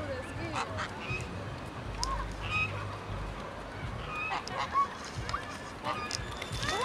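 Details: An angry gang of geese, with a male goose going crazy, honks in a noisy scene: many short, harsh, nasal calls overlap irregularly, roughly every two seconds, over a low rumble of background noise.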